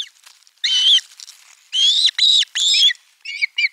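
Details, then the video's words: Osprey young screaming at the nest when a fish is delivered, Finland, July 2022: several long, piercing, slightly wavering shrieks separated by short gaps, ending with two shorter yelps. "Kala otetaan vastaan äänekkäästi kuorossa kiljuen"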